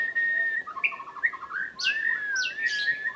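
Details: Singing white-rumped shama in breeding condition: a long steady whistle, then quick chattering notes and bright, buzzy high flourishes, all over a steady background hiss.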